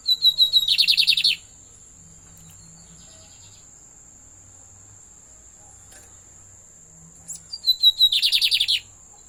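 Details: Pet lined seedeater singing: a few thin whistled notes run straight into a fast, buzzy, pulsing trill lasting about a second. The phrase repeats after a quiet gap of about six seconds, over a steady high-pitched whine.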